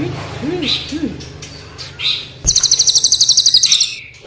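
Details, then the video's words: Crested jay, black and brown forms, in active song: soft swept notes and faint low murmurs first, then a loud, even, rapid rattle of high pulses for about a second and a half. "Cililin gacor nembak ngeroll panjang,hitam vs coklat"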